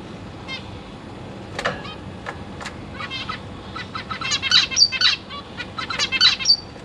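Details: Caged zebra finch family recorded 22 August 2023, with parents feeding three juveniles and three newly fledged chicks that practise flying. A few scattered nasal calls give way to a dense, rapid burst of overlapping high, buzzy calls over faint background hum.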